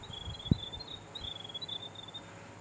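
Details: Warning calls from Grey Warblers mobbing a kārearea, a New Zealand falcon, perched in a beech tree with a caught sparrow: a soft high twittering series of quick notes, over steady background hiss and one sharp low knock.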